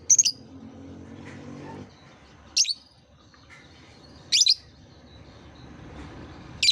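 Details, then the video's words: Piercing, high lovebird chirps offered as a lure for young lovebirds still learning to sing, coming singly or as short doubled notes every one to two seconds over faint low background noise. "Suara terapi lovebird | kicau terapi lovebird paud"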